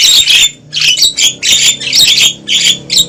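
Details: Javan myna lure sound for luring wild birds into a trap: loud, hoarse, rasping bursts repeated in rapid succession with barely any pause.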